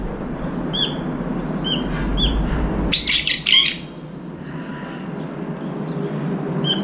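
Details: Brown-eared bulbuls squabbling over food at a feeder; short downslurred chirps repeat about once a second, then a burst of harsh overlapping squeals around the midpoint before the birds fall quiet, with a low background hum throughout.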